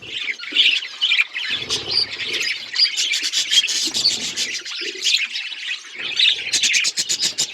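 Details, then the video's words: Pet budgies produce a steady, bubbling stream of chirps, squeaks and buzzy warbles, closing with a rapid run of sharp clicking chirps. "Budgies beautiful colours birds chirping sound"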